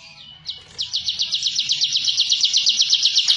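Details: Ciblek, the bar-winged prinia, kept in captivity, starting its ngebren song meant to intimidate rivals: a few separate sharp notes, then a quick, regular run of high chipping notes that builds into a continuous trill.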